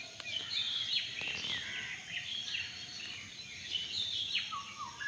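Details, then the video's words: Birds chirping unseen among garden plants at dusk: a dense chorus of high, thin twitters and short slurred notes overlapping continuously, over a faint steady background hiss. "পাখির কিচির মিচির ডাক শুনতে কার না ভালো লাগে।।"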